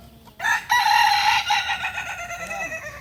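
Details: At a kukuak balenggek crowing contest in Solok, a rooster gives a sustained, harmonically rich crow that holds steady, then dips slightly and fades in stepped tones.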